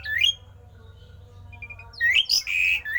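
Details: Javan pied starling with a rare odd song said to make other starlings sing: a rising whistle, a quiet stretch with faint notes, then a loud twisting phrase of slurred and held whistles.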